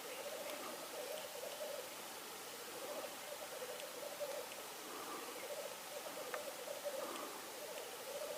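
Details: Black grouse in Norway on 8 May 2019: a low, continuous bubbling and cooing that rises and falls in waves, with faint higher calls and a steady background hiss.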